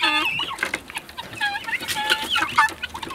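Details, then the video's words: Guineafowl on their first outing outdoors give a busy flock chatter of harsh, grating calls and short squeaky notes overlapping through the clip, with no pauses. "Цесарки — первый выход на улицу."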